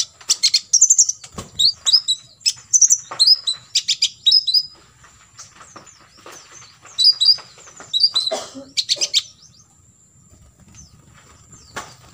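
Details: Olive-backed sunbird, from a recording for training other birds to imitate in 'full tembakan isian' style: spaced groups of bright, high twisting chirps and ticks, then a long quieter stretch with only a thin steady high tone.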